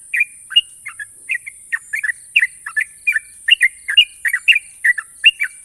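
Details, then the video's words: National champion sooty-headed bulbul singing long, sharp ropel trills: lively bursts of clear whistled notes, some paired and rising, delivered at an uneven quick pace against a constant high hissing tone. "burung trucukan juara nasional ropel panjang dan tajam"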